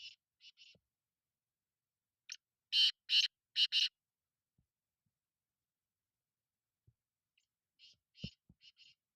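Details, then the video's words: Black francolin, locally called kala titer: a faint phrase of harsh notes opens, then a loud run of four rasping, buzzy notes and a later quieter repeat, with scattered low clicks in between. "kala titer"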